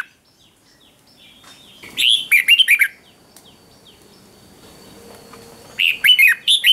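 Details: Morning song of a red-whiskered bulbul in song training. A gap of soft high twitters comes first, then a lively burst of warbled, jumpy notes. After a pause of about three seconds, a second short burst follows.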